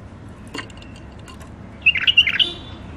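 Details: A wild-caught hybrid finch, from Mandali, in its first period of isolation, gives a brief burst of bright, twittering song notes.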